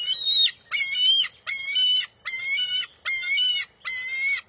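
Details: Bald eagle eaglet at its nest on June 23, 2021, calling while competing with its mother for a fish: six steady, shrill, harmonic whining notes, each about half a second, repeated in an even rhythm.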